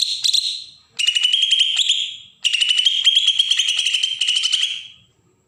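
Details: Bornean green leafbird from Berau, Kalimantan, in agitated besetan mode to lure young birds: three rasping, rapidly pulsed phrases, the last one longest and steady in pitch.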